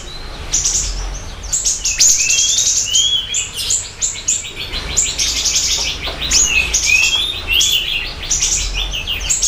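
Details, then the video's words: Energetic siri-siri bird singing for a lure and master recording, with a busy, continuous stream of high sharp chirps mixed with short lower whistled slurs and trilled bursts throughout. "Pancingan Dan Masteran Burung Siri Siri Gacor Dor"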